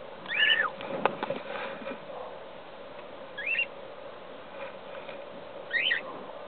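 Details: Cockatiel chicks in the nest begging: three short, harsh, rising-and-falling squawks spaced a few seconds apart over a steady background hum, with a few faint clicks.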